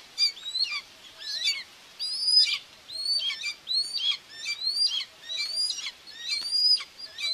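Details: Live nest camera at Tiszalök, Hungary, on 2 June 2024 catches a common buzzard feeding two chicks; a run of high, thin, arching whistles, some overlapping, at slightly uneven intervals.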